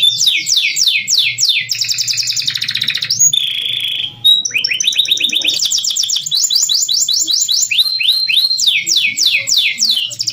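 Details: Canary (Serinus canaria), song.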